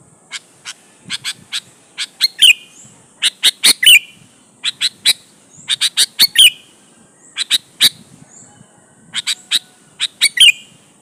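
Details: Sooty-headed bulbul singing energetically as a lure to draw replies from rival bulbuls: rapid bursts of crisp chirps building into phrases that end in a slurred, downward-twisting note, repeated roughly every two seconds.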